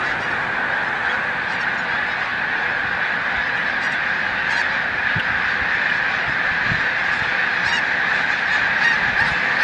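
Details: Thousands of snow geese gathered on migration at Montezuma, New York, 7 March 2022. Steady roaring clamor of high nasal honks, with scattered sharper yelps rising above the mass.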